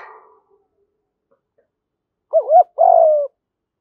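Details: Spotted dove call from a male and female pair used to stimulate training birds; one phrase of a quick doubled looping note followed by a longer falling coo after a faint murmur.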